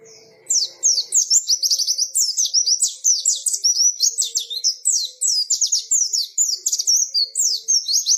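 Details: White-eye singing actively in the 'ngalas' style: a nonstop, rapid babble of high zigzagging whistles and chirps, loud and dense throughout, after a brief quiet start.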